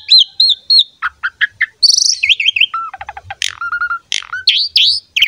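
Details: Model song of a vigorous Asian pied starling for teaching young birds: looping whistled notes open, then clipped chirps, a buzzy burst, a steady whistle, and rising sharp squeaks at the end.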